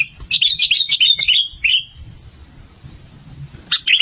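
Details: Lure recording of sooty-headed bulbul, male and female: a rapid tumbling run of bright chirped notes ending in a falling slur, then a quiet gap before another short chirpy phrase.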